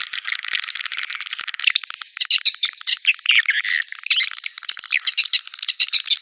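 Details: Swiftlet calls: a fast rattling twitter at first, then distinct sharp chirps and short squeaky notes after a brief pause.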